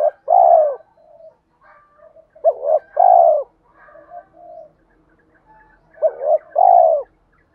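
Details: Spotted doves of both sexes calling to provoke cooing in training birds. Three full phrases of a brief quavering note followed by a long falling coo, spaced around three seconds apart, with soft low mutters between.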